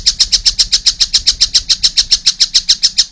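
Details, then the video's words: Evenly paced, grating high notes from a young collared kingfisher, steadily repeated at around four per second. "wow masih kecil udah gacor , anakan burung tengkek buto"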